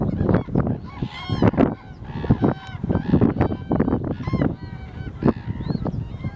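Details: Wintering common cranes (Kraniche), 1 February 2014: many birds calling together in loud rolling trumpets and honks, bursts overlapping almost without pause, some upper tones rising and falling.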